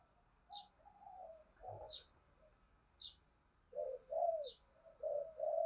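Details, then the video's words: Spotted dove calling coo from Đồng Nai, Vietnam, used to stimulate other doves: soft, mellow coo notes, some overlapping, grow louder toward the end over a hiss, with brief high chirps about once a second. "cu gáy kích bổi nhanh nổi gù, Tiếng cu gáy mồi thúc và gáy gọi"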